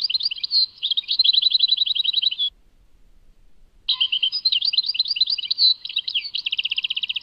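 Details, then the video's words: Tadmait song from a European goldfinch, a phrase of chirps and rapid rattle, a silent gap of about a second, then more twittering that closes in a fast repeated trill. "Chant chardonneret Tadmait"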